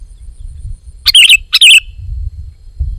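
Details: Two quick bubbly chirping phrases from a sooty-headed bulbul, almost back to back within one second, over a steady low rumble of background noise.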